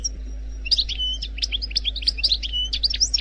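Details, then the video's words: Algerian goldfinch wild-type song, error-free: spaced bright chirps alternating with thin whistled slurs, in a quick bouncing rhythm, over a faint steady hum. "لغة الحسون الجزائري الخلوي بدون اخطاء Chant Chardonneret Algerie"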